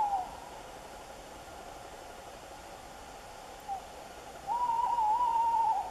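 A tawny owl gives a long, wavering, quavering hoot near the end, after a brief faint note at the start, over a steady background hiss.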